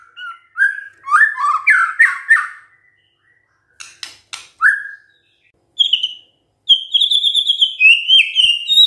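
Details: Lively white-rumped shama gacor song: a quick warbling string of whistled notes, harsh scratchy bursts after a pause, and then a high trilling run of whistles.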